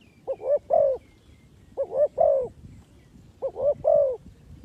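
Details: Decoy spotted dove for trapping, cooing in three-note phrases: two quick soft coos then a longer slurred croo, each phrase repeated about every one and a half seconds, three phrases in all, with a quiet background.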